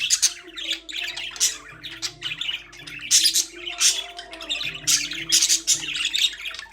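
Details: Budgerigars in a birdcage chirp and squawk in lively, overlapping bursts of buzzy, warbling notes, with quiet instrumental music humming underneath.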